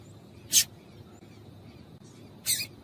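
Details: Two brief, high, sharp chip notes about two seconds apart from a female coleiro, played to stir a male into singing. Quiet background otherwise.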